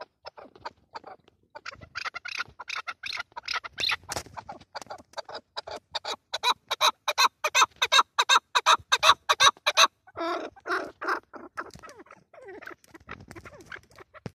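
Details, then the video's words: Chukar partridge giving a fast, rhythmic run of harsh clucking chuck notes, nearly three a second. The series builds, then breaks into softer, throatier notes. "Куропатка. KEKLIK SESI"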